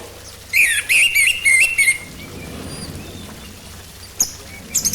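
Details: Orange-headed thrush song used to coax birds into singing: a loud run of warbled, twisting whistled phrases over about one and a half seconds, followed by quiet with a few faint distant notes and a short burst at the end.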